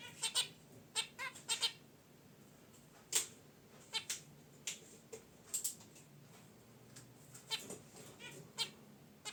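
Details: Caged pet zebra finches relaxing beside their wicker basket nest, heard in unedited audio: short nasal honks and bright chirps in irregular bursts, sometimes two or three in quick succession, separated by quiet gaps with a soft background hiss.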